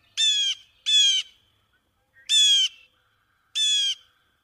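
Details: Blue jay (Cyanocitta cristata) in the trees of Prospect Park, Brooklyn, New York City, giving four harsh, nasal 'jay' screams of about a third of a second each, irregularly spaced: two close together, then two after pauses.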